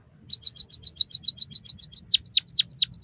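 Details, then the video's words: White-headed munia song played as a master recording for training cage birds: a rapid run of high chirps, about eight a second, then slower down-slurred whistles over a faint low rumble. "suara burung emprit kaji gacor masteran burung pipit bondol haji"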